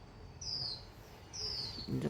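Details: Bird singing naturally in the rural countryside, giving two drawn-out high whistles that fall gently in pitch, about a second apart, with a brief burst of human voice at the very end.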